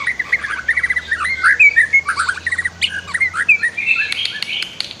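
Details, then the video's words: Master song of a white-rumped shama for training other birds: dense, varied warbled phrases with quick slurred whistles and chattering notes, ending with sharp clicks and a high sustained whistle. "MASTER KICAU MURAI BATU"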